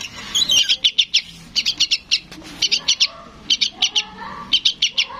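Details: Juvenile yellow-vented bulbul calling its parent with rapid groups of high, bright chirps in threes and fours, and faint lower tones audible in the background.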